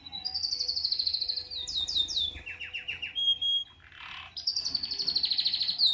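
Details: Canary, possibly mating or fighting, gives high rapid trills, a series of falling slurred notes and a short buzzy burst, then another long fast trill.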